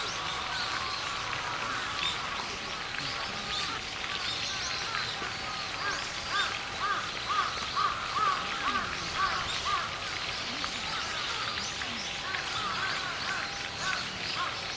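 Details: Brown-eared bulbul on a mild late-autumn day giving harsh, squealing notes in a quick series midway through, over a busy backdrop of other birds and steady background hiss.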